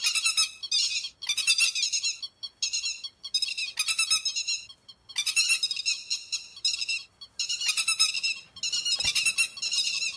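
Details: Grey-headed lapwing recording for night net-trapping lures: loud clusters of strident, buzzy notes repeated in irregular bouts, each bout lasting about a second, with short pauses; clean background.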